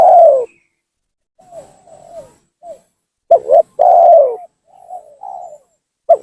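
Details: Spotted dove calling to lure and provoke rival doves; strong drawn-out falling coos and a quick double coo, separated by soft, low, brief coo fragments and pauses.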